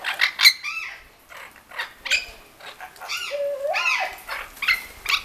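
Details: Bathing Orange-winged amazons in a Lake Balaton bird garden give loud, ringing harmonic squawks and downslurred, arched whistling screeches, spaced by short pauses, with light splashing in between.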